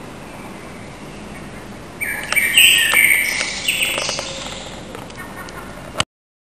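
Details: Common blackbird back in its street territory for spring, singing at 4:15 am on 21 March 2010; after two seconds of quiet, a loud warbled phrase with a scratchy high twittering ending, a few clicks, then silence.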